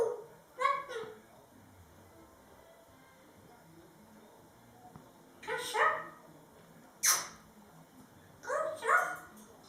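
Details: A male grey parrot, a talking bird singing while dancing, gives four short, voice-like bursts over ten seconds: rich, mid-pitched sung phrases and one sharp, bright squawk, in an otherwise quiet room.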